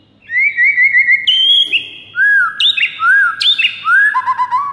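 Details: Morning training song of a white-rumped shama for coaxing other shamas into song: rapid rippling whistled trill, then varied loud phrases of clear arched whistles and sharp flicks, rich and melodious throughout.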